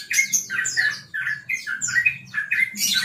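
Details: Sooty-headed bulbul delivering a relaxed rapid 'ropel' song, as used for training other birds: quick bright chattering and squawky phrases, sliding and fluttering notes packed closely together, with a faint low hum underneath.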